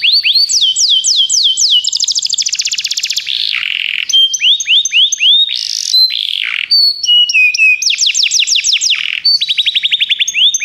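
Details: Begie canary song used as training material: varied tours of fast looping whistles, dense rattling trills, short buzzy sweeps and pure high notes, rolling on without pause at strong volume.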